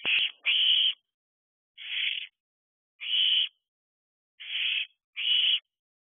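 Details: A hungry young owl, fledged but not yet dispersed, gives raspy begging hisses near its nest box at night on 5 July 2023. Six breathy screeches come at uneven intervals of about one second.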